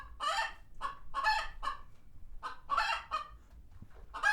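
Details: Chickens on a farm sanctuary react to a passing hawk with loud, broad, rasping clucks in uneven pairs and triplets over low background rumble.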